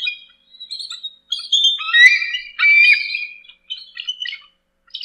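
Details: Bald eagle calls, thin piping squeals and slurred whistles sliding downward in pitch, delivered in uneven phrases broken by short gaps.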